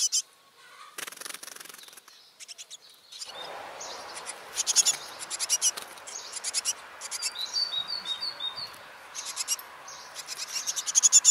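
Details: Great tits nesting in a tree log in a village house garden, with ten chicks at fledging in the early morning; high, thin chirps and short rapid trills in bursts over soft hiss, as parents sing to encourage the chicks to fly.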